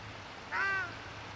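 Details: A female ruddy shelduck (Tadorna ferruginea) at Špica, Ljubljana, on 28 January 2023 gives a single nasal, honking note, slightly arched in pitch and about a third of a second long, over a low steady hum.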